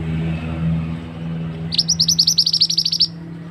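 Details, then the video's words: Loud lure call of a male scarlet-headed flowerpecker, played for trapping in forest: after low engine-like rumble, a rapid burst of high, clipped ticks, about fifteen notes in just over a second. "Suara pikat burung mandi darah / mantenan jantan"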